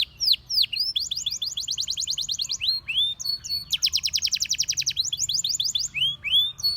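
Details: Canary in full song: long rolling trills of rapid identical notes broken by swooping upslurred whistles and brief buzzes, very high and bright, with a faint low hum in the background.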